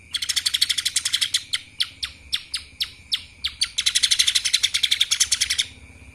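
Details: Rapid chattering trills from a lesser green leafbird in kapas tembak style, broken in the middle by slower, separate downslurred notes, then a dense high trill resumes before ending.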